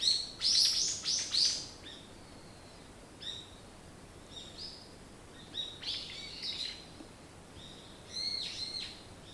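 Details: Birds singing in the morning: bursts of high, chirping notes in short clustered phrases, with a loud run at the start and quieter phrases every couple of seconds after that, over faint background hiss.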